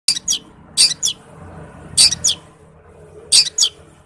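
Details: Long-tailed shrike in fighting mode, singing heavily and mimicking sparrows: short, harsh, high rasping notes in close pairs, bursts every second or so, over a faint low background hum.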